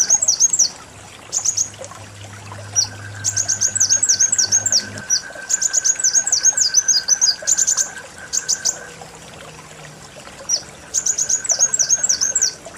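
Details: Kolibri wulung sunbird singing a lure recording: repeated runs of fast, high-pitched V-shaped chirps separated by brief gaps, with a steady background drone and faint low hum.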